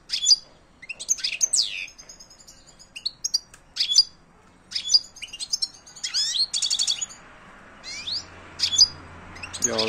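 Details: Bright, sharp chirps and twittering phrases from a European goldfinch, mixing clear high notes with buzzy trills, delivered in spaced bursts against a quiet background.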